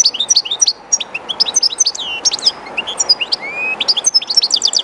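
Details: European goldfinch, a kept bird singing near the running water of the Jerte River, delivers a dense, tinkling warble of clipped high notes, slurred whistles and a rising note, closing with rapid repeated chips; river rush underneath.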